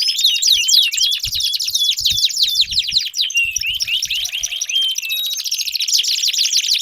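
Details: Canary song for prompting a silent canary, busy chirps and swooping whistles over a fast buzzy trill, with faint low thumps underneath.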